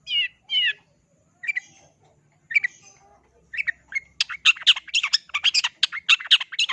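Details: Long-tailed shrike singing: a few harsh, raspy double notes spaced about a second apart, then a sudden fast, dense run of varied scratchy chattering notes filling the last three seconds.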